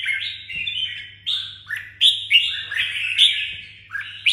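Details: Red-whiskered bulbul, a kept songbird from Đồng Nai, delivering a lively run of bright, bouncy whistled notes that jump up and down in pitch, several loud accented notes close together, with a soft steady hum beneath.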